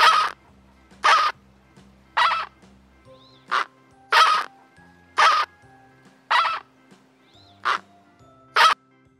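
A flamingo gives harsh, goose-like honks, about one per second, nine in all, over soft background music.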